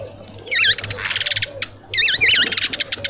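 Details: Southern red bishop, a new visitor landing at a tube feeder in a suburban garden in Pretoria, South Africa; two bursts of wavy, looping whistled notes over dense buzzy, clicking chatter, separated by a quieter gap.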